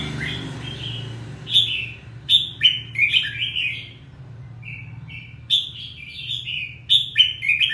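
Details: Red-whiskered bulbul giving lively whistled phrases: clusters of sharp, bright chirping notes, a quieter run of soft whistles mid-way, then more loud ringing bursts; a low background hum persists throughout.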